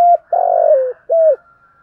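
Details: Caged decoy spotted dove singing in the 'thổ' style to lure other doves during trapping: a brief opening coo, a sustained harsh coo sliding lower, and a short closing note, with faint higher whistling behind.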